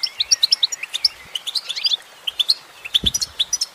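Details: Goldfinch female singing a lively string of high, clear chirps and slurred twitters, briefly pausing midway, with a single soft low knock near the end.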